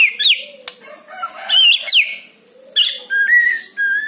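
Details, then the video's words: Captive white-rumped shama singing, used as a lure to get another caged shama singing: bright whistled slurs mixed with harsh scratchy notes, then steady level whistles in three short bursts. "PANCING MURAI BATU ANDA DENGAN SUARA INI"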